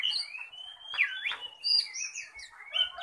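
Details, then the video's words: Oriental magpie-robin, said to be contest-ready and singing aggressively, pouring out continuous sliding whistles, rising and falling glides and quick chattering notes in a rich varied stream. "KACER SIAP GANTANG, kicau ganas,ngobra"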